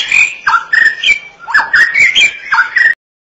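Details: White-rumped shama giving short fluty whistled phrases, each a quick swoop followed by a level note, repeated in bursts about half a second apart, then stopping abruptly.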